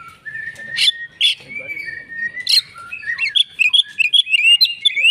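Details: Oriental magpie-robin, agitated fighting song: long thin whistles and a few harsh bursts open, then an accelerating run of bright twisting whistled notes.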